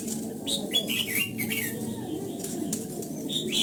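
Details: A red-whiskered bulbul's morning training song in the old-forest double-note style, given as a few scattered, curling whistled notes with gaps between them, set against a steady low murmur.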